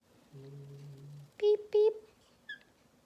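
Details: Pet green-cheeked conure in conversation with its owner: a low steady voice hums briefly, then two loud, harsh, ringing squawks follow in quick succession, and a short faint high chirp closes the exchange.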